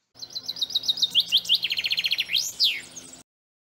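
A Common Chaffinch sings a quick run of bright notes that speeds into a dry, falling trill and ends with a loud, sweeping flourish, all within three seconds.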